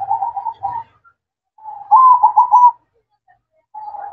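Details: Night-time manggung song of a zebra dove: soft, level cooing notes followed by a brighter, rapidly trilled phrase, then a fresh low coo starting after a short silence.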